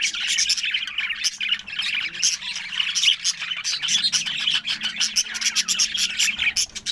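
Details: Budgerigars starting their breeding season in early September chatter busily, a dense stream of high, scratchy chirps and squawks from several birds at once.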